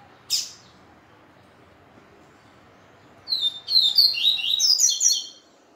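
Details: Male seedeater (papa-capim) singing indoors in a utility area just after being separated from the female: a sharp high chip, a pause, then a quick two-second burst of bright, twittering high notes rising and falling, faint hiss.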